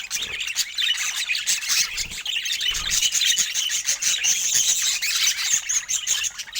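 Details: Pet budgerigars chattering together in a dense, continuous wash of high twittering and warbling chirps, with no clear pauses.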